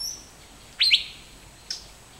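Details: Asian fairy-bluebird, from evergreen moist forest of the Western Ghats, giving a loud liquid two-note whistle, each note sharply upslurred then level, followed almost a second later by a faint short high note; quiet background.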